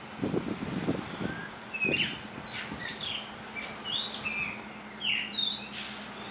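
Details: Blue rock thrush singing on Hahajima in the Ogasawara Islands: short high chirps and quick slurred whistles in a lively series, after low rumbling noise at the start, against a steady background hiss.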